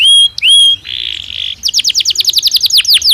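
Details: Belgian canary singing naturally for daily song training: two clear rising whistles, a rough buzzy held note, then a quick series of about fifteen repeated downward-slurred notes, roughly four per second.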